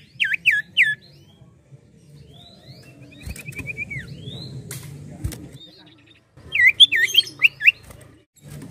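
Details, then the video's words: Common Iora in active song: a loud burst of looped whistles at the start, a quieter stretch with a soft trill, then another rapid burst of whistled notes near the end. "SIULAN M4UT CIPOH GACOR!!!"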